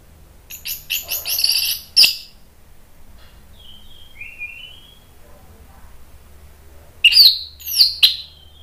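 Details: An excited orange-headed thrush singing as a provoking lure, with rapid stacked chattering notes and a sharp stroke, then soft descending thin whistles in the quiet middle, ending with loud ringing phrases.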